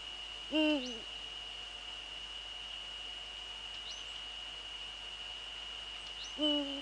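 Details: Male Eurasian eagle-owl in the Netherlands, 6 February 2013 at 17:30: two deep, slightly falling hoots about six seconds apart, against a steady high-pitched background tone.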